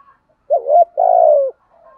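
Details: Decoy spotted dove cooing to lure wild doves: a short low coo followed by a longer, burry, slightly falling coo, all mid-pitched, in otherwise quiet surroundings.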